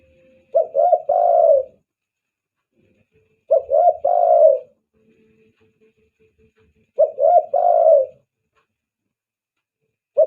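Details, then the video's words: Spotted dove call played as a lure for doves, three-note coo phrases of two quick notes and a longer soft coo, repeated about every three and a half seconds, a faint low hum between. "SUARA PIKAT TEKUKUR,,banggo joss buat pancingan..."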